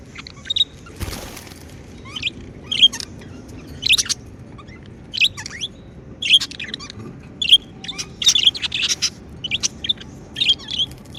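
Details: Pet budgies chirp contentedly, sending out short, sharp twittering notes about once a second after a brief thump near the start.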